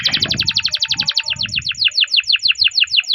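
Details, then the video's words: Canary song recorded to prompt other canaries to sing, a long rolling trill of rapid high notes, about six per second, steady and bright, with faint low knocks and a thin steady tone in the background. "Masteran Suara Burung Kenari Ngerol Panjang cuit cuit untuk Pancingan Kenari"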